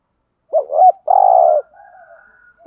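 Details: Urging thúc gù coo of a decoy spotted dove meant to draw in wild birds: a quick two-part hooked note, one long steady coo, then a faint drawn-out trailing tone.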